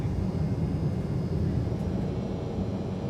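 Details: A steady low rumble of engine or aircraft noise fills the recording. No animal voice can be picked out.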